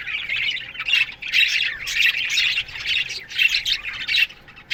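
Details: Colony of Australian budgerigars in an aviary chirping in the morning: dense, scratchy warbling chatter in repeated bursts, pausing briefly between waves of sound.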